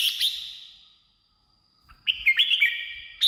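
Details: Red-whiskered bulbul song for luring wild birds or rousing caged ones. A trailing whistled note fades to silence, then a bright burst of quick, rippling whistles.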